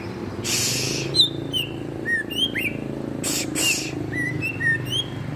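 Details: White-rumped shama song: clear whistled notes, some sliding up or down, spaced at irregular intervals, with loud broadband hissing bursts near the start and middle.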